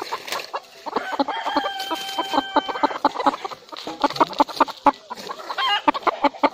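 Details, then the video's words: A rooster gives a sustained, even-pitched crow of nearly two seconds early on, over constant busy clucking and short calls from a flock of chickens that continue to the end. "murge ki awaaz"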